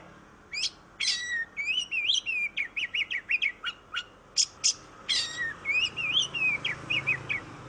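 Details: Oriental magpie-robin in full vigorous song, used as a lure to prompt reluctant magpie-robins to sing: quick varied whistled phrases, upslurred and wavering notes mixed with sharp high chips and a few harsh bursts, delivered continuously.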